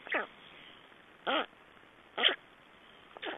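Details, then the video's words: Black storks at a nest in Estonia on 3 June 2011, exchanging and feeding: four separate harsh, down-slurred nasal calls, each about a tenth of a second, spaced roughly a second apart. "Black Storks nest Estonia - Exchange and feeding"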